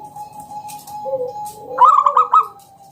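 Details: Zebra dove of local stock, kept as a lure for other doves, gives a faint coo and then a short burst of rapid rolling trill notes over a steady background tone.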